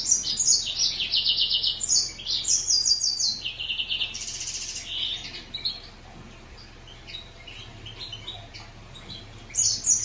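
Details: Green singer finch singing a rapid, high-pitched twittering song of trilled and buzzy phrases, with notes shifting up and down. The phrases run for about five seconds, then fall quieter before a final bright burst. No other clear sounds.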